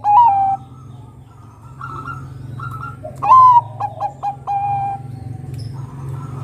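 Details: Zebra dove of the Bangkok type, singing to lure other doves: a coo ending a phrase, a pause with softer notes, then a full phrase of a loud rising coo, three short hops and a long falling final note over a low hum.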